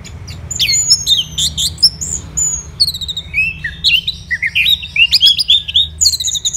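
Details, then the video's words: Energetic orange-headed thrush song, morning, Kubutambahan, Singaraja, Bali: a long high whistle opens into dense chattering phrases, then rapid rising and falling notes repeated about four times a second in a tumbling, varied stream. "ANIS MERAH Gacor"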